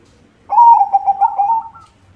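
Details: Short burst of song from a white zebra dove kept to lure others of its kind: a clear cooing note followed by a quick bubbling trill, over near silence.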